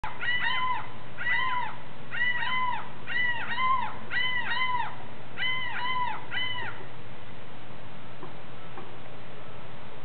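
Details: Seagull on Florida's Intercoastal Gulf Coast screeching at an osprey eating a freshly caught fish on a dock, trying to make it give up the catch: harsh arched cries, mostly in quick pairs, about a dozen over seven seconds, then quiet.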